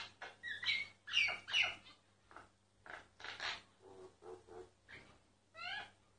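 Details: Myna singing, recorded quietly so the bird would not notice and stop: a rapid jumble of harsh buzzy notes, clicks and bright whistled slurs, with short nasal phrases and a descending rippled whistle near the end.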